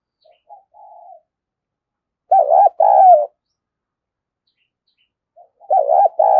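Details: Spotted dove giving vigorous calling coos to stir young birds into cooing: a faint soft murmur, then two loud pairs of mid-pitched, wavering two-part coos about three seconds apart, on a silent background.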